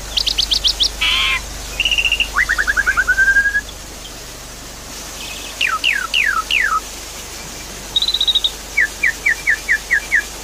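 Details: Javan pied starling song played as a lure to get a bird that has stopped singing to sing again. Bursts of rapid chattering notes, a buzzy note, and a rising trill-like run, then sweeping whistles and evenly spaced short chirps.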